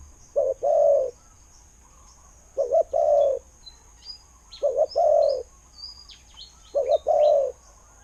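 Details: Good-voiced spotted dove used as a decoy in Thailand, cooing four times at a steady pace, each a short stuttered note leading into a longer coo; faint thin chirps of other birds above.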